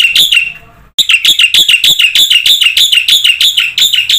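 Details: Lively song of a black-winged myna, used to draw answers from birds that are not singing: a short buzzy phrase, a brief break, then a rapid regular series of loud, ringing, slightly whistled buzzes.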